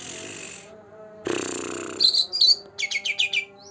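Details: A two-month-old green leafbird in full song, meant to prompt rarely singing birds: after a long hiss, sharp high squeaky chirps followed by a quick series of five descending trilled notes over a faint hum.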